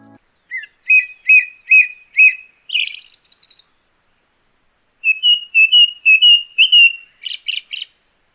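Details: Indian blackbird (Turdus simillimus) in Sri Lanka singing a run of clear, fluty notes repeated about twice a second, with a few higher scratchy notes between phrases.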